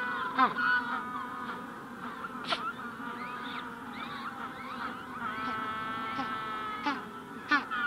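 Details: Adult Magellanic penguins recorded close up giving ecstatic braying calls, long harmonic honking brays with a nasal, donkey-like tone, with the general colony calling in the background.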